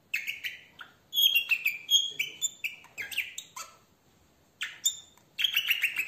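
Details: A red-rumped parrot warbles a bright, rapid song of liquid whistled notes, high and rippling, in bursts with brief pauses, with no other sounds; the song is played to stimulate males and females to breed.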